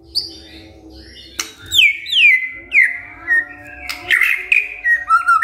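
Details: Caged white-rumped shama giving a loud song of sharp downslurred whistles and varied rich phrases separated by short pauses.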